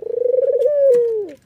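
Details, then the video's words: White, red-eyed Barbary dove, nodding and laughing, gives one coo: a quick throbbing trill that smooths into a steady, mellow tone, dipping lower at the end. "suara puter putih mata merah ini ngangguk dan tertawa"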